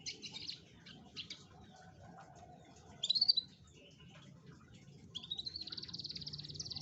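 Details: Canary song meant to prompt a lazy canary to sing: scattered high chirps, a short loud burst of notes, then a long rising, rapidly pulsed trill.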